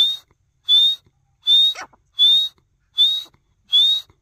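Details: Male partridge calling: six clear whistled notes near the top of the range, each sliding slightly upward, repeated about every three-quarters of a second with short silences between.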